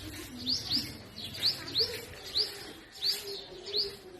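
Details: Purple sunbird in spring in forest trees in north-west Pakistan giving sharp, high, slurred chirps, about one or two a second, over a faint low background hum.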